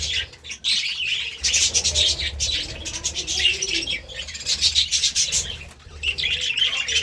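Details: Budgerigars at their meal of seeds and vegetables keep up busy, gritty warbling chatter with short chirps throughout, over a faint low hum.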